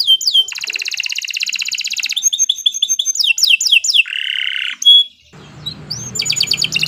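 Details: Canary master song: quick whistled sweeps, a long buzzy high trill, mixed chattering notes and a low rolling buzz, then a short pause with background hiss before trilling resumes.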